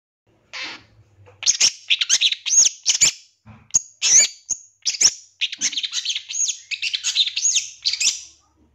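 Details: Lure song of a champion long-tailed shrike from 2023, used to trigger shrikes to sing and become excited; a dense, high, scratchy warble of quick twisting notes with short breaks.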